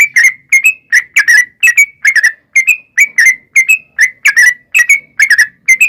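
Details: Yellow-vented bulbul in 'ropel panjang' style, a female calling to a male, played as a lure to draw answers from wild birds. Loud, ringing, slightly bending whistled notes come in quick pairs and triplets without pause.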